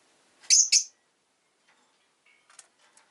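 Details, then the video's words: Pet rosy-faced lovebird giving two loud, harsh, buzzy chirps in quick succession, followed by a few faint, soft ticks and chips in a quiet background. "Lovebird Chirping Sounds"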